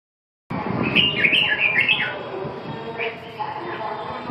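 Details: Red-whiskered bulbul, likely a kept bird, giving a short phrase of bright, warbled, rising and falling whistled notes, followed by quieter notes over steady background hum and murmur.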